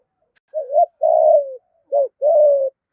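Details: A spotted dove's 'thổ'-style urging coo, which reportedly agitates wild and lure doves: a wavering double coo, a long falling coo, then a short hoot and a sustained flat coo.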